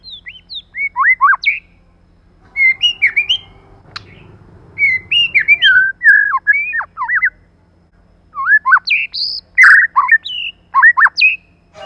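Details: White-rumped shama, male and female paired in a lure recording meant to excite other shamas: bursts of varied, rich whistled phrases with quick up-and-down slurs and sharp high accents, separated by short pauses and a brief low rumble.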